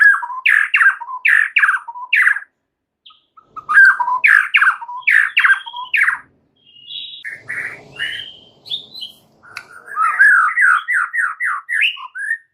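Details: One white-rumped shama delivering a chatty 'rewel' song packed with varied phrases: rapid series of sharp, downslurred notes repeated in bursts, pauses, then buzzy and whistled fragments and another quick run of notes.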